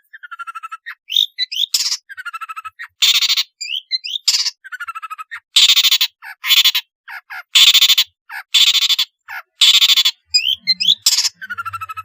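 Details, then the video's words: Long-tailed shrike in lively varied song, meant as a lure for reluctant shrikes: harsh grating buzzy bursts alternating with rapid stuttered notes and short whistled squeaks, in an irregular rhythm. "suara burung pentet gacor isian variasi bisa untuk pancingan cendet malas bunyi"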